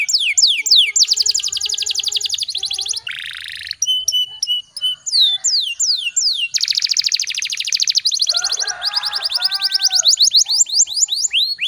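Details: Canary in full rolling song used as a training track for other canaries: fast descending sweeps, dense buzzy trills, short bursts and whistled notes in quick succession, loud and continuous.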